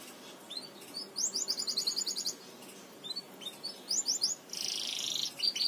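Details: Belgian canary song used to teach canaries to sing: quiet, high fragmented phrases with a fast buzzy trill of repeated notes, short chirps and a brief rasping burst, over soft background hiss.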